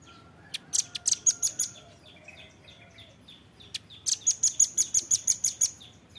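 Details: Velvet-fronted nuthatch training recording for captive birds: scattered high chips and faint lower twitters, then a rapid, evenly spaced string of shrill, high notes.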